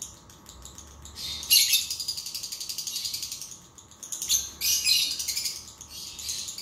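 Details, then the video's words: Lovebird song meant to get a lazy lovebird singing: after a quiet start, loud, harsh bursts of fast high twittering alternate with brief pauses. "PANCINGAN LOVEBIRD MALAS NGUNCI"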